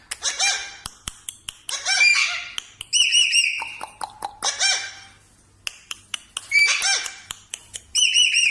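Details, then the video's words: Natural parrot voice: grating squawks and ringing whistled phrases mixed with sharp clicks, delivered in irregular bursts with short quiet gaps. "parrot natural voice sound"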